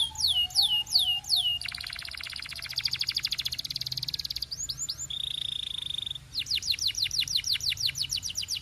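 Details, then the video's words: Belgian canary singing a varied song: falling whistled notes repeated rapidly, then a long fast buzzy trill, a steady high tone, and a series of quick rising-falling chirps, all high-pitched and clear. "Belgian Canary Singing"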